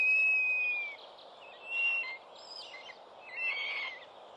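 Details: A Northern goshawk (Accipiter gentilis) at a New Forest nest on 11 June 2012, late in the season after four young fledged, gives a high, thin, drawn-out whistle falling at the end, then two shorter whistles, over background hiss.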